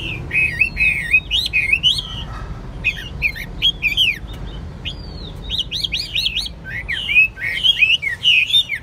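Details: Chinese hwamei, a caged singing and fighting bird, gives varied looping whistles, rising slurs and rapid chip notes in lively phrases, with a low hum behind.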